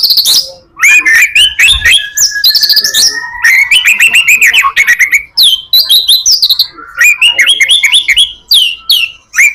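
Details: Full-repertoire white-rumped shama song for luring other shamas: loud, rapid runs of sharp chirps and clicks broken by long, steady whistled notes and rising slurred phrases.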